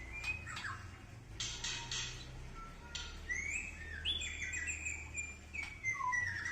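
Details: White-rumped shama singing fairly softly: clear whistled notes that rise and slide, some held and some falling, mixed with a few scratchy bursts, over a steady low hum.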